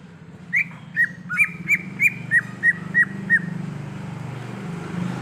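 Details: Forest-recorded greater green leafbird: a steady series of about nine short whistled notes, each dropping in pitch, delivered briskly before fading into low background hum.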